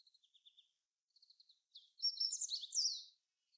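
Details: Meadow Bunting, a bird of Japan's farmland and grassland: faint high ticks and a short soft trill lead into a loud, hurried string of sharp, high, twittering notes about a second long.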